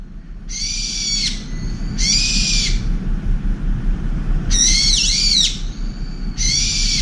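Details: Brown-eared bulbul screaming at a turtle dove that pushed it off a window feeder; loud, grating screeches of under a second each, four bursts in seven seconds, with constant low hum beneath.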